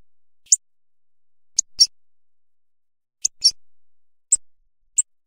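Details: Hawfinch giving sharp, very high, explosive tick calls, about seven brief clicks in irregular pairs and singles over five seconds against an otherwise silent background.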